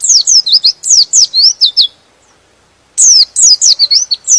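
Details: White-eye song used to make other white-eyes excited and sing: rapid high twittering of steeply descending chirps, broken by a one-second silence before the same energetic twitter resumes.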